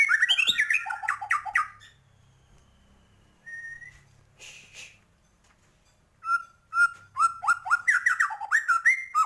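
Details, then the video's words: White-rumped shama in full 'isian' 'gacor' song used to stir up other birds: a burst of quick rhythmic whistles, a long quiet gap with a lone note, then an accelerating string of clear whistled phrases. "Murai batu gacor,, full isian cepet naikan emosi burung"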